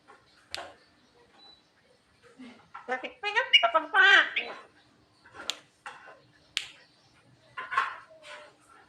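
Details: Captive Javan myna giving a scattered series of harsh, squeaky and chattering notes with a burst of rapid rising warbles in the middle, separated by quiet pauses; faint background music.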